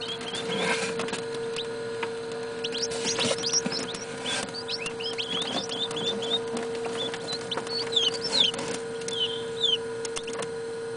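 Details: Incubator-hatched northern bobwhite chicks, filmed indoors around 9pm, give a steady chorus of thin, high peeps and short rising chirps, overlapping constantly, over a low steady machine hum.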